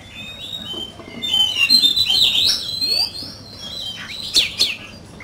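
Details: Oriental magpie-robin in a singing competition, cage bird: soft long whistled notes building into a louder tangle of slurred whistles, then two sharp high accents.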